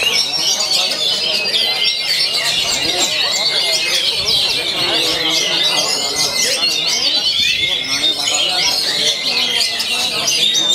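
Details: Oriental magpie-robin, said to sing energetically daily: sustained high chattering and whistled phrases with a few long clear notes, continuous, with faint background voices.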